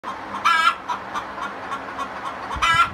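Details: Domestic hens singing the egg song after laying: a steady run of short clucks punctuated by two loud, drawn-out, rising squawks about two seconds apart.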